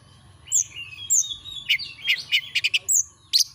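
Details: Oriental magpie-robin song used as a clear tutor recording to stir a kept bird into singing: high thin whistles sliding down, then a burst of sharp clicking chirps and a final rising whistle, over a faint low hum.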